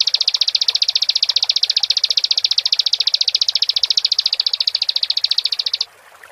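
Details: Bar-winged prinia singing persistently in a long, fast trill of sharp high chips, nearly six seconds unbroken, then stopping abruptly; faint background noise.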